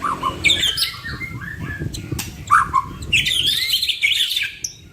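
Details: Two white-rumped shamas give a full song of fill-in phrases: slurred whistles, short sweeping notes and a dense burst of high scratchy warbling near the end, over background noise.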